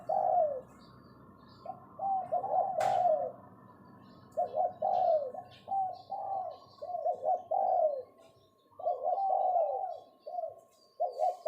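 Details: Spotted dove kept as a caged decoy bird calls in the 'phao' style: soft throaty coo phrases, several notes each, spaced by short pauses, with one sharp click and faint twittering of other birds.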